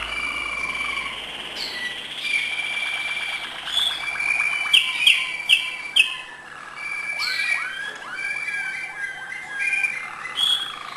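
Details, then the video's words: Malinois canary singing acute notes: varied rolling trills and whistled tones, a burst of sharp repeated clicks in the middle, then a series of quick downward-slurred notes and further soft trilling. "malinois singing acute notes"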